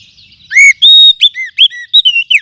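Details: Oriental magpie-robin from the forest, lure sound for tutoring birds: strong arched whistle, a long level note, then a quick series of short rising and falling whistled phrases.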